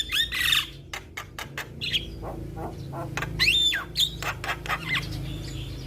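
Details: Chatty young Javan myna, a champion-style singer recorded as a tutor for other birds: loud grating squawks mixed with sharp clicks and brief whistled slurs in irregular bursts, over a steady low hum.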